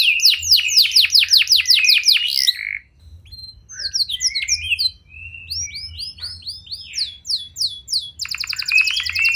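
A canary sings a rich, rapid song of high, sweeping whistles and rolling trills, shifting quickly between phrases and ending in a fast buzzy trill.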